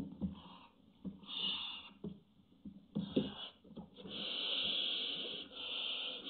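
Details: On a barn owl nest webcam on June 24, 2017, barn owls show intimidating behaviour, giving harsh rasping hisses in bursts of about a second and ending in a long sustained hiss, with soft knocks and shuffling underneath.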